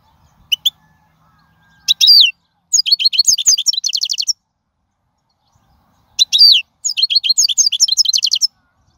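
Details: European goldfinch singing in the wild, a recording meant for training young birds: two bursts of bright, rapid twittering, each opening with a nasal rasp and followed by quick repeated chirps, with silence between.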